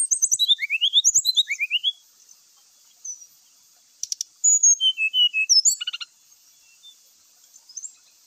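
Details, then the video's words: Grey-chested jungle flycatcher singing vigorously, used as a lure recording to prompt other birds to sing, with a song full of varied fill-in phrases: quick bursts of short rising high whistles, then a gap, clicks, and a run of falling whistled slurs. "sikatan rimba gacor"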